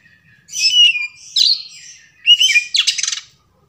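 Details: Oriental magpie-robin song played as a lure to set off another bird's singing: loud varied phrases of whistles and harsh buzzy notes, ending in a rapid rattling trill.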